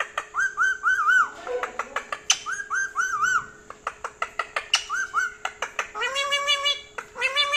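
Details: Pet parrot kept awake at night, wanting food rather than sleep: repeated short arched calls in groups of three, sharp clicks, a few squawky notes, ending in a long harsh drawn-out call, with a steady low electrical hum throughout.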